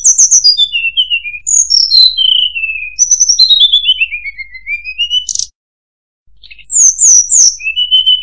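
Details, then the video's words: Descending whistled cascades from a murai buluh (tledekan), several phrases in a row, then a pause and sharp high downslurred chirps and a rising whistle. "Burung Murai Buluh | Tledekan"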